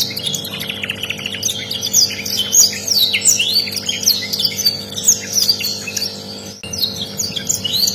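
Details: Canary tutor song from a rare bird: a long, lively flow of high twittering, trilled runs and thin whistles that goes on without a break, over a faint background hum.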